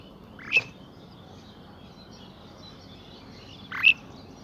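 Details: A pied myna in the morning at Saifai, Uttar Pradesh, gives two short, rising, slightly harsh calls about three seconds apart over a steady high hiss of insects and background noise.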